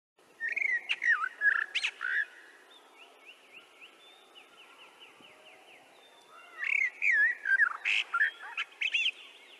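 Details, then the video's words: Common whitethroat (Sylvia communis) song: two fast, scratchy, chattering warble phrases, each about two seconds long, separated by a pause filled with faint, thin trilling from other birds in the background. "Whitethroat | Sylvia communis | Wrabler | Bird song"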